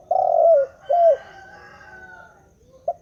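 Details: Spotted dove cooing continuously: a long, full coo sliding down at the end, a shorter second coo, a quiet pause, then a brief note starting again.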